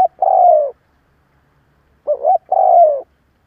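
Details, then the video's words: Spotted dove coo used to provoke rival doves: a drawn-out, falling, burred coo, then after a pause a quick two-note coo leading into another long descending coo, in an otherwise silent setting. "Cu gáy gù gáy kích bổi cực mạnh / Tiếng cu gáy hay kích bổi / Cu mồi thúc gù kích cực mạnh"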